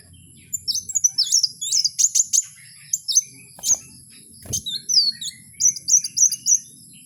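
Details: Wild kowul delivering a lively, high-pitched song of quick slurred whistles and chirps in irregular bursts, with a sharp click midway and faint low rural background hum.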